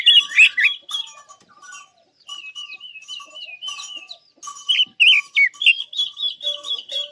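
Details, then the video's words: A Chinese hwamei kept as a trapping decoy bird sings a loud, rich run of varied whistled phrases with quick warbles and wavering trills, with a faint steady higher note in the background. "Chim Quế Lâm hót hay nhất"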